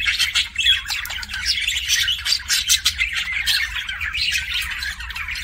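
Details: Budgerigar kissing sounds from a pet bird, continuous twittering warble of rapid chirps, clicks and buzzy notes with no real pauses, a low hum faintly audible beneath.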